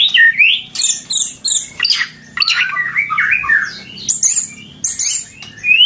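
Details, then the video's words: White-rumped shama singing loudly in bowing posture: a dense, varied stream of bright whistles, rising and falling slurs and sharp high chips, delivered almost without pause over a faint low hum. "Gaya sujud, materi volume mantep"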